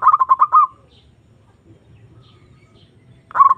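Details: Zebra dove, a lure recording meant to call a rival and stir breeding mood: a quick burst of about five staccato, clipped coos, then near silence over a faint low rumble before another rapid burst begins at the end.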